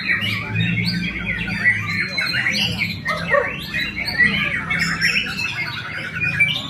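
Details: White-rumped shama (Copsychus malabaricus), likely a competition bird, pours out a rich, fast, varied song of whistles, chatters and sharp squawks, with people talking in the background.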